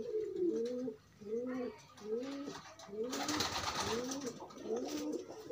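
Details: Clear, evenly repeated pigeon coos, each an arched low note with a softer echo below, roughly twice a second, from loose birds pairing; a loud rustling burst sounds midway.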